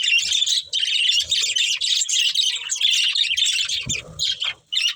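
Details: Budgerigar breeding pair chirping continuously: fast, buzzy chattering warble in rhythmic bursts, with brief pauses and a soft low thump near the end.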